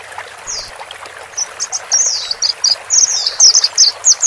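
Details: Calls of male and female white-eyes for settling a new bird into its cage; sparse thin notes at first, then quick high chirps repeated irregularly, about two a second, against soft background hiss.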